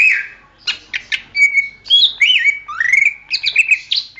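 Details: Greater green leafbird song used as training material for songbirds: a rich, varied run of clear whistles, sliding and rising notes and short buzzy chirps, delivered almost without pause over four seconds.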